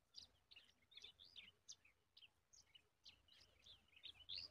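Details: Yellow-tailed bulbul feeding a large spider to its chicks: a quick run of short, bright chirps and twittering notes, high-pitched and slurred, several per second, over faint low background noise.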